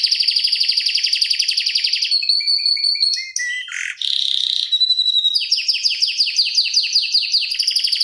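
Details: Fast, tight rolling canary song for tutoring and prompting other canaries: a long pulsed trill, a few sharp chips and a harsh buzzy burst, then repeated descending slurred notes.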